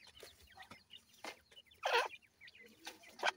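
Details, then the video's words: Several grey francolin chicks at feeding and play, giving thin, high, quickly repeated cheeps with brief upward flicks, mixed with a few loud rustling and scraping bursts. "gora teetar chicks feeding,teetar chicks playing"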